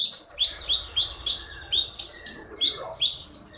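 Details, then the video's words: Prize-winning Bangka Belitung contest bird, originally from Bangka forest, producing quick repeated high whistled notes with slurred downward and upward inflections, several per second, over a faint low rumble. "KEETY BURUNG JAWARA FULL GACOR"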